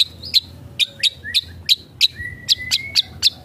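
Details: Long-tailed shrike singing energetically, firing off its 'isian', phrases copied from other birds: about twelve sharp, high chips spaced unevenly, roughly two to three per second, with a thin level whistle drawn under the second half.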